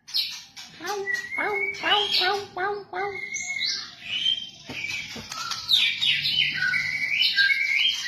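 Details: Captive white-rumped shama singing to train other caged birds: a rapid series of repeated downslurred whistles, then higher sweeping and warbled phrases with faint background noise.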